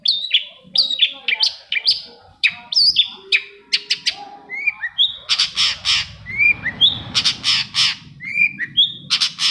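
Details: Lively, varied Long-tailed shrike song meant to prompt other shrikes to sing: rapid high chirps, slurred whistles and dry clicking bursts tumbling one after another, with brief scratchy passages and a faint low rumble.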